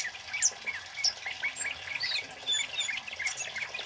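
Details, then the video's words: Scarlet-headed Flowerpecker male singing loudly, meant for luring and tutoring birds; a rapid jumble of very high thin chips and brief squeaks continues without a break. "SUARA BURUNG KEMADE CABE CABEAN BUNGA API GACOR LANTANG"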